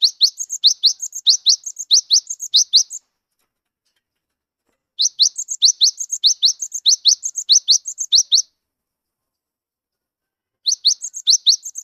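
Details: Cinereous tit, wingko form, still wild-natured but singing freely, its song meant to prompt silent tits: three bouts of bright rising whistled notes mixed with higher twitters, roughly 95 notes a minute, with pauses of about two seconds between bouts.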